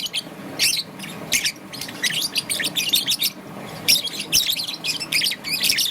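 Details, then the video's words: Green and yellow young peach-faced lovebird in the morning, chattering almost without pause in rapid high chirps and squeaky notes, with one dense burst near the end, over background hiss. "Lovebird's melodious chirping sound - Young Peach Face Lovebird - Green and Yellow"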